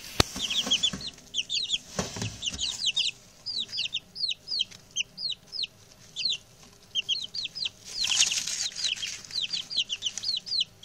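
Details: Six young male chicks, newly settled in, keep up a steady stream of high, falling peeps, roughly several per second, with a thump at the start and a denser overlapping burst around eight seconds.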